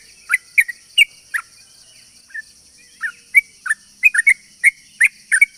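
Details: Sooty-headed bulbul giving a rapid lure song to attract other bulbuls: a few separate bubbly notes, a short gap, then a faster flurry of warbled, slurred chirps, with a constant high hum.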